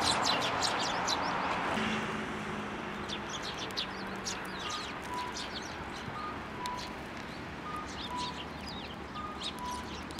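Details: Sparrows coming to the hand for food at a Tenmangu shrine on 15 January 2024; rapid, overlapping high chirps throughout, a low steady hum in the first seconds, and faint repeated short beeps.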